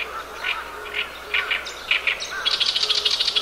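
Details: Oriental reed warbler on 10 June 2012 giving its harsh, croaking song, unlike a small bird: grating two-note phrases every half second, ending in a fast run of rasping chatter, with a low repeated call from another bird behind.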